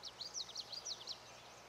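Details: At Charles M. Russell National Wildlife Refuge in Montana, USA, a Lazuli Bunting gives a quick burst of high, sweet paired notes, each swooping down and up, lasting just over a second before falling silent against faint hiss.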